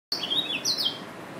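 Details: Yelloweye finch giving two clear, high, thin chirps. One is a wavering, slightly falling note and the next a brighter sliding note, with a faint steady background hiss.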